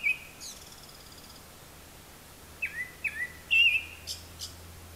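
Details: Japanese thrush singing from high up and mimicking other calls: a brief whistle, a thin high rattling trill, then three sharp slurred whistles ending in a twisting warble, with faint low hum behind.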